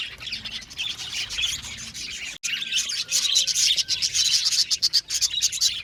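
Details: Colony of budgerigars in an aviary: fast, repeated chirps and chattering warbles, broken by a short silent gap, then louder and more clipped calling.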